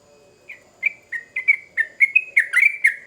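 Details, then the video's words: Yellow-vented bulbul (trucukan) in full, energetic song used as a lure to draw a quick response from other bulbuls. Short bubbly chirped notes come in a quickening run, each slurred near the same mid-high pitch, over a faint low steady hum. "Trucukan Gacor Ngamuk Pancingan Cepat di Respon Burung Trucuk Bahan"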